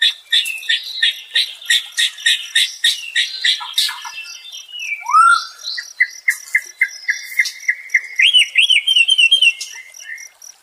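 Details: White-rumped shama song played as therapy for a stressed bird to restore its fighting spirit: rapid strings of sharp repeated chips, then a clear rising whistle and long, steady whistled notes ending in looping trills.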